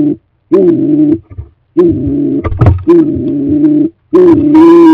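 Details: Stock doves at a cleaned nest box before the breeding season; longer, drawn-out low hooting coos in three or four phrases, broken by short pauses and a soft knock or thump.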